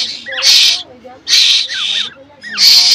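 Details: Hungry black koel chick begging for food from its human keeper: three harsh, broad screeching bursts about a second apart, with a man's voice speaking Bengali between them.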